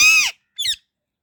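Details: Indian ringneck parrot chirping: a loud, harsh, richly layered squawk lasting about a third of a second, then a brief higher twittering chirp, in a quiet setting.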